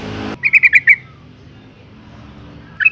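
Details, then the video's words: Female yellow-vented bulbul calling to provoke males; after a short burst of low noise, five quick bright chattering notes, then silence and a brief final pair of notes. "suara panggilan burung trucuk betina gacor ngalas tercepat mancing emosi trucukan jantan agar bunyi"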